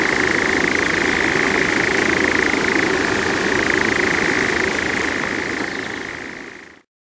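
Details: European nightjar churring on Oirschot heathland: a steady, unbroken mechanical trill holding one pitch for about seven seconds before fading.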